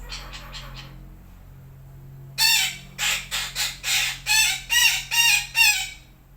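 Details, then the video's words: Morning calls of a Sumatran red-breasted parakeet: three soft squawks, a pause, then a rapid run of nine loud, grating squawks spaced under half a second apart, over a faint low hum. "KICAUAN MERDU BETET SUMATERA PAGI HARI"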